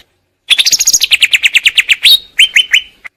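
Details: Greater green leafbird delivering a fast trill of about fifteen repeated sharp chirps, then a few slower clear notes and a final short chip after a brief pause.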